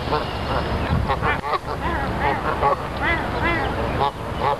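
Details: Wild geese at Dufferin Islands, Niagara Falls, calling in a dense chorus of repeated nasal honks, several birds overlapping, over steady low rumble of water and traffic.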